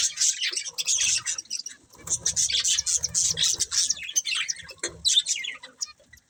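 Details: Breeding pair of budgerigars twittering in rapid, raspy bursts of high chirps, tapering toward quiet at the end.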